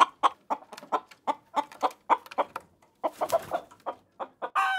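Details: Chicken making irregular clucks, with a harsh noisy stretch in the middle and a drawn-out squawk at the close.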